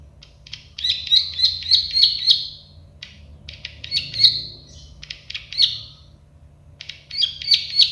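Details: Plain prinia, known locally as prenjak sawah or klik-klik bird, singing in clustered bursts of sharp, clicking high notes, each burst a rapid run of about five ticks, separated by short pauses, over a faint low hum.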